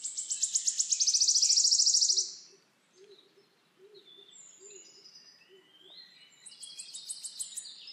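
Wood warbler giving its high, accelerating trill that runs into a shivering dry rattle, then starts again after a pause; faint low hooting in the background.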